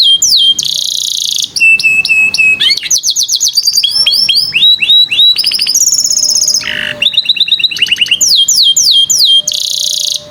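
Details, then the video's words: Canary song used as a lure to prompt young canaries reluctant to sing, and to train them: loud, varied phrases of rapid high trills, repeated sweeping notes and buzzy rolls, changing every second or so with brief pauses between. "Kenari ISIAN MEWAH dan JERNIH cenkok JAWARA || Pancingan KENARI PAUD malas BUNYI"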